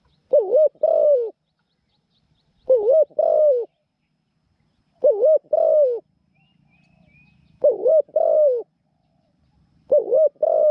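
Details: Spotted Dove kept in a cage as a new trapping decoy, small-voiced and a keen cooer, delivers five evenly spaced two-part phrases over ten seconds: a wavering short coo, then a longer sliding coo.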